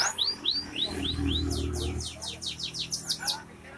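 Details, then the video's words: F2 canary song: a few clear downward-sweeping whistles, then a fast run of sharp descending notes, with low rumbling background noise beneath. "Kenari F2 Gacor"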